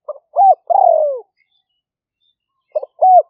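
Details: Spotted dove lure call in the lahw fueang style, recorded live in wet-season paddy fields of Roi Et province, Thailand. A clipped note, an arched coo and a long descending purr are followed after a pause by the next phrase beginning.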